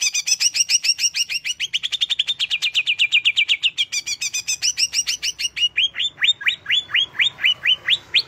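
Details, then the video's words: Greater green leafbird singing a rapid, continuous song of crisp chirped notes at about four per second. Phrases change often, ending in a series of sharply rising slurred whistles. No other sounds are heard. "Relaksasi pembangkit emosi cucak hijau"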